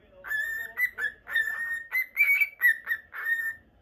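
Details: Normal Lutino cockatiel kept as a pet in Japan; a continuous run of whistled notes, mostly level with some short upslurs, strung together over nearly four seconds.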